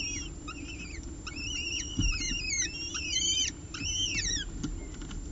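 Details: During a ledge feeding of two peregrine falcon eyases by their mother in Orange on 30 September 2018, dense runs of high, curving whistled chips pour out almost continuously, with a brief thump and a low droning background.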